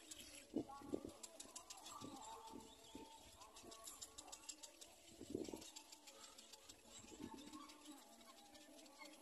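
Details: A little black cormorant chick begging and feeding from its parent, reaching deep into its mouth: harsh, wheezy squeals in short irregular bursts over ticking clicks and faint other birds.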